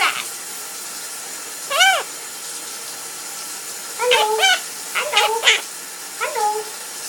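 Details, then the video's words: A pet parrot, male, sings during his owner's shower. One rising-then-falling whistled note, a long pause, then a cluster of warbled, wavering notes, all against constant water hiss. "The Singing Parrot"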